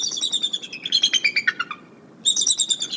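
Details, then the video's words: Decorah mother bald eagle calling in concern from the Y-branch near nest N1 on 29 January 2022, with a sub-adult visitor and a skier close by. Rapid, high staccato chitter that slides downward, a brief pause, then another bright burst. "Mom Concern Vocals"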